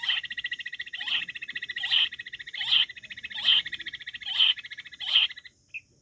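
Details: Wild quail calling with clear, short notes repeated about every 0.8 seconds, seven in a row, over an insect trill that cuts out near the end, followed by one faint final note.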